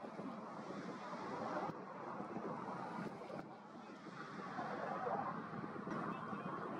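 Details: Wind buffets the microphone over a steady wash of waves and engine rumble, with a few sharp knocks.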